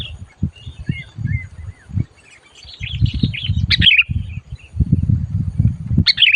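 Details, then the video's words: Being lured for trapping, a sooty-headed bulbul chatters loudly: soft twittering slurs at first, then two emphatic bursts of sharp, tumbling chirps, with steady low thumping and rustle throughout. "SUARA BURUNG MACIT DISAAt DIBAWA MIkat"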